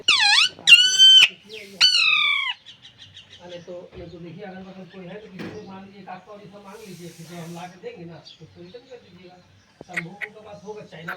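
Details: Alexandrine parakeet that talks: three loud, ringing, downward-curving squawks open, then a long stretch of soft, low, speech-like mumbling, and a brief squawk near the end.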